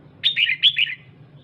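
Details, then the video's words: Female red-whiskered bulbul urging on the male with a quick string of four clear, slurred chirps, bright and slightly descending, over a faint low hum. "Chào Mào Mái DAM DANG Kích Trống Bắn Tùm Lum"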